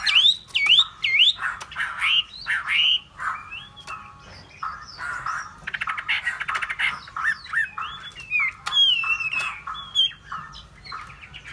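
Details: Hwamei in extended varied song: dipping whistles given in pairs, scratchy chatter, fast rattles and clear rising notes, changing pattern every few seconds.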